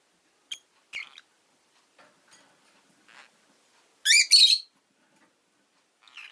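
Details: Pet rosy-faced lovebirds, one of two birds newly joining a household, give scattered short high chirps before a loud, harsh double burst of chirping near the middle, then a final squeaky note.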